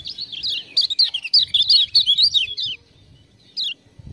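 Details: Lemon-bellied white-eye, a trained singer used as a master recording, singing after being prompted with ciak-ciak sounds: a fast run of high, sharp, twisting chirps for about two and a half seconds, then a pause and one more short note.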